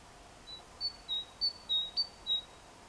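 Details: A tit on 14 April 2021, described as calling its mate, sings a run of six or seven thin, high whistled notes alternating slightly higher and lower over about two seconds, over faint background hiss.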